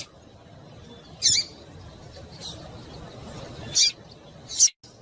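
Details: Female double-collared seedeater in breeding condition, calling to stimulate males: three brief, very high, sharp chip notes spaced over a few seconds, with a faint steady background hum.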